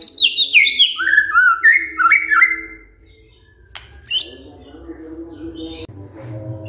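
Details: White-rumped shama triggered by a lure recording: a quick cascade of high-to-lower whistled slurs for about two and a half seconds, then near quiet with one sharp burst and a low hum.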